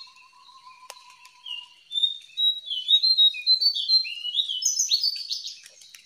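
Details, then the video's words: Free-living jongkangan starting softly, then building into an energetic chatter of sharp, high, rising and falling chirps packed closely together. A faint steady whistle is heard at the start. "SUARA JONGKANGAN DIALAM BEBAS"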